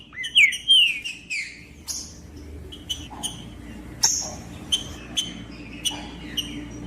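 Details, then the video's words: Green-winged saltator song for warming up a silent bird: two bold descending whistled notes open, followed by a sparse series of soft, brief chips and whistles. "TRINCA FERRO CANTANDO"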